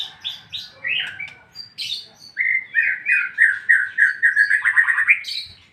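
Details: White-rumped shama singing in the ngeplong style: a few sharp rising whistles, then a rapid run of about fifteen rich, slurred notes repeated several per second, ending in a high upward flourish.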